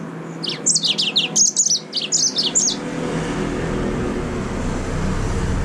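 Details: High rapid chirping phrase of a yellow-fronted canary, or green singing finch, a dense run of quick sharp notes for about two seconds, followed by low background rumble.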